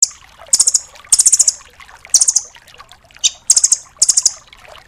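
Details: Velvet-fronted nuthatch, a 'doraemon' type used as a tutor for songbirds such as magpie-robins, sounding very high, sharp rattling bursts of four or five rapid chips, one about every second, separated by brief quiet gaps.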